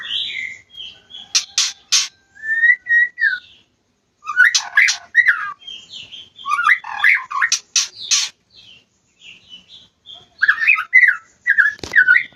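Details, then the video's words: White-rumped shama in an aviary in mating season: long varied song of whistled phrases, harsh rasping bursts and quick chattering notes in groups with brief gaps, plus a single loud click near the end. "Musim kawin MURAI BATU di Aviary"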